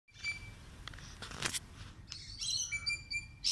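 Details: Bird singing: a thin steady whistle near the start, a sharp broadband burst mid-clip, then a run of bright, harmonic-rich chirps and whistled notes with a low rumble of background noise.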